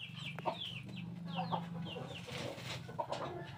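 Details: Bangkok chickens in a coop give a string of short, descending clucks and squawks over a constant low mechanical hum.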